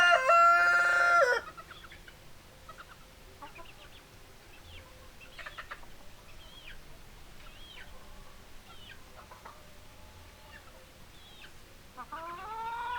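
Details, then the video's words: Rooster crow, loud and rich in harmonics, for the first second and a half, then hens clucking with short rising notes, and a second crow beginning near the end. "Chicken Sounds Noises Hens Clucking Roosters Crowing"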